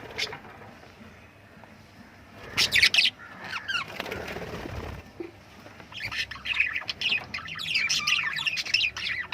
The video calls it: love birds singing sounds